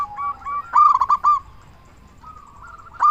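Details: Local zebra dove singing loudly as a lure for other doves: soft cooing notes, then a loud burst of four or five rapid coos, a quiet gap and another strong coo at the end.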